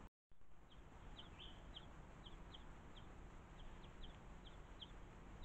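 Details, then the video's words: Young European greenfinch at a garden bird feeder waiting patiently for its parent, calling with brief high chirps at a quick, fairly even rate against constant low-pitched noise. "Juvenile Greenfinch Patiently Waiting For Parent"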